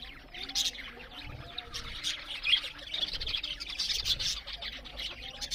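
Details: Budgerigars chirping while eating, a steady mass of high, rasping twitters and short whistled notes from many birds, rising and falling in loudness.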